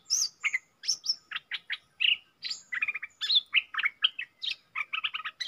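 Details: Wild red-whiskered bulbul challenging a caged decoy, dated 5-6-64: a steady stream of sharp high chirps, bright slurred whistles and quick rattling note clusters, almost no pauses.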